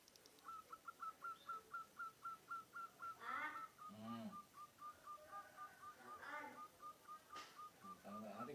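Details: Munia imitating the cooing of a zebra dove: a fast, even series of short hooked whistled notes, about four per second, running through the whole stretch, interrupted by a few louder broadband bursts and harsh noises.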